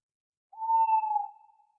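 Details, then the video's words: An owl at night gives a single clear, hollow hoot of about a second, steady in pitch then easing slightly lower as it fades, against a silent background. "10 minutes of relaxing owl sounds"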